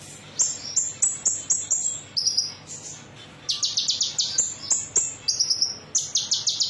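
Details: Metallic-type konin used as a lure to set other birds singing: series of sharp, high whistled notes, then a run of rapid stuttering trills, with short pauses between phrases.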